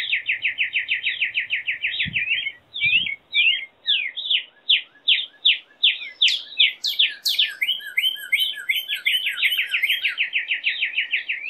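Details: Northern cardinal song of long, very fast trills of short slurred notes. The pace slows in the middle into separate swooping notes, then speeds back into a rapid trill. Two low clicks are heard early on.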